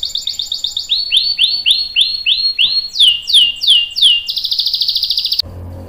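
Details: Canary singing to coax other canaries into song: a trill, repeated swooping whistles, a fast rattling roll, then an abrupt stop leaving low background noise.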